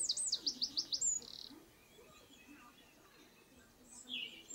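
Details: Eurasian wren giving a short, high series of rapid repeated notes ending in a brief buzzy rattle, followed by a long quiet stretch and one faint later note.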